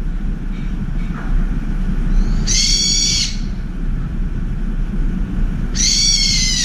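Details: Brown-eared bulbul at a window feeding spot, ear-splitting screeches aimed at a turtle dove: two harsh, buzzy bursts about three seconds apart, faint softer notes earlier, continuous low rumble in the background.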